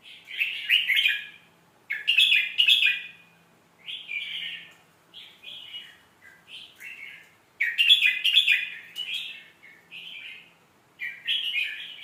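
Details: Red-whiskered bulbul song for teaching young birds: a series of separate, bubbly warbled phrases, some loud and some softer, repeated every one to two seconds with brief quiet gaps and a faint hum.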